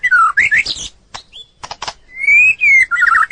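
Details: White-rumped shama song with loud descending and rising whistles, a harsh scratchy burst in the middle, then sustained pure whistled notes and a quick warbled ending.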